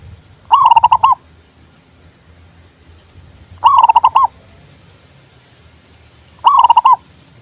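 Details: Zebra dove song for prompting silent captive doves and luring wild ones: three loud, fast-pulsed trilling coo phrases, one roughly every three seconds, each ending with a brief upturned note.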